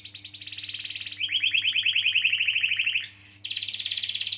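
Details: Canary singing a long rolling song, used to coax young canaries or ones that have stopped singing: a high rapid trill drops into a lower pulsed roll of about twenty beats, then a short whistle and a fresh high trill, with a faint hum.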